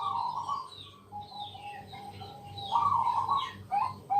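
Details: Bangkok-type zebra dove at night singing to draw other doves into song: faint mellow coos and a long thin tone, then a brighter burst and a few short notes, with a low hum throughout.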